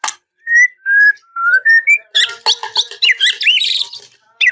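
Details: White-rumped shama singing a song with many fill phrases, meant to draw a rival. A few clear, level whistles give way to a busy, fast mix of looping whistles and buzzy notes.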